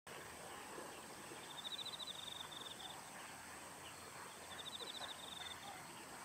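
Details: A female Amur stonechat in winter plumage at Banyu Fureai Park, 3 October 2015, gives two short bursts of quick, high ticking notes, each about a second long, over steady outdoor hiss and a thin high whine.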